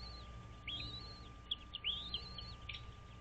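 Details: Wild American bald eagle at a nest on Dale Hollow Lake, on the Kentucky-Tennessee line, recorded by a nest camera at 06:05 on 06.03.2023: two drawn-out, high whistled phrases that rise and then fall, over a constant hum.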